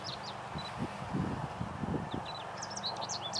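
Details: American goldfinch spring song, 18 April 2014, Coquitlam, B.C.: thin, high twittering notes and quick slurred whistles in a loose, jumbled run, over a steady low rumble of wind noise.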